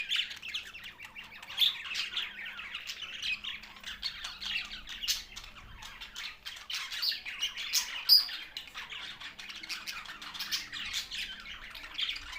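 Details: Budgerigars, Australian parrots, tagged Larkana, Sindh: a dense, continuous warbling chatter of many birds, with scratchy squawks and short bright chirps overlapping throughout and sharper squeaks near two and eight seconds.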